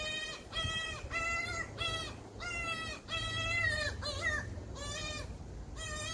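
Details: Common cuckoo chick, a brood parasite, screaming to be fed by its magpie foster parent: loud, harsh, rasping screams, each about half a second, rising then falling, repeated almost every second.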